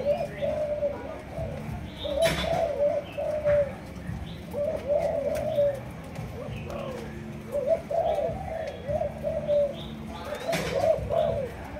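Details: Captive Malaysian spotted dove, two months old, from the 'chiêu gù chạy' cooing line, repeating low mellow coo phrases in bursts every few seconds, with occasional faint clicks and knocks in the background.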